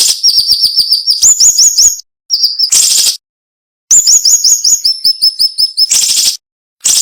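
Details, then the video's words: Cinnamon-bellied flowerpecker song used as a training recording for songbirds, prized for sharp bursts packed densely with short pauses: thin, very high chirps in rapid series, rising slurred notes, and clipped repeated phrases broken by brief hissing bursts. "MASTERAN SUARA BURUNG SIRI SIRI NEMBAK TAJAM"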